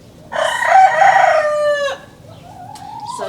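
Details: A rooster, one of four in an urban backyard homestead in Johannesburg, crows once, a loud harmonic-rich call held about one and a half seconds and ending in a drop, followed by a fainter, rising crow in the background.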